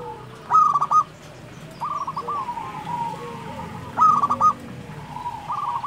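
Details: Local perkutut, the zebra dove, in full song: two loud runs of quick, trilled cooing notes, separated by softer, lower, stretched coos from other doves. A faint low hum runs underneath throughout.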